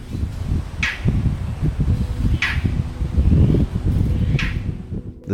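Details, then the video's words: On a forest safari at Kabini, Nagarhole National Park, Karnataka, India, outside the monsoon season but green after recent rain, an Indian roller gives three harsh, rasping calls about every two seconds over a steady low engine or wind rumble, with faint voices. "the sound you're hearing is from an Indian roller"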